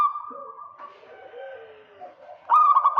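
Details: A local zebra dove luring a rival. Steady faint cooing and soft lower notes lead into one sudden loud, rapidly pulsed coo at the very end.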